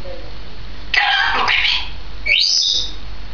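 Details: Female grey parrot, two years old, heard on 16 May 2010. A rough, noisy burst about half a second long gives way to a clear whistle that rises sharply and holds high, all over a faint steady background hum.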